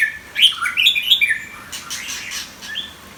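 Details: Competition white-rumped shama singing; quick bursts of varied whistled and chirping notes, rising and falling, followed by softer phrases and faint background clatter.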